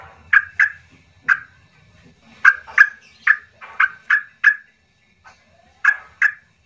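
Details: Yellow-vented bulbul (trucuk) in the emotional trucukan style, used to coax quiet birds into singing: short emphatic notes, often paired, repeated in quick irregular bursts over several seconds with brief pauses.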